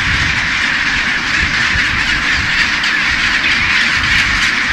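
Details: Dense din from thousands of chinstrap penguins at their Bailey Head breeding colony, Deception Island, Antarctica; rasping, overlapping calls merge into an unbroken roar with no single voice standing apart.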